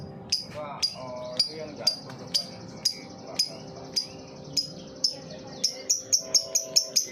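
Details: Lovebird in ngetik mode, a lure to spur other lovebirds into song: crisp high ticks spaced about half a second apart, speeding into a fast run of clicks near the end, with a faint indoor hum.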